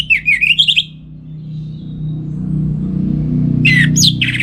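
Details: Orange-headed thrush at home in North Bali, singing in the morning to prompt and tutor other songbirds: a quick string of warbled whistles, then silence over a steady low hum, then another loud twisting phrase.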